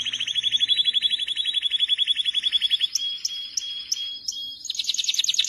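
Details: Canary singing a long, fast, even trill of high repeated notes, then a few sharp high notes spaced about every third of a second, ending in a brighter rapid trill.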